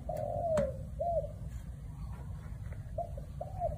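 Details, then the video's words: Spotted dove singing one-kuk style coos: a long falling hollow coo, then short arched notes in pairs, mid-pitched and mellow, over a constant low rumbling background. "1 กุก เพราะๆ ชัดๆ นกเขาใหญ่"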